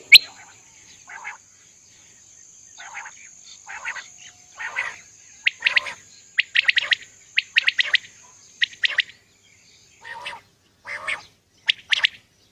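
Common Quail song: sharp, liquid notes in short clipped bursts, some grouped in quick threes, repeated over a steady high insect whine.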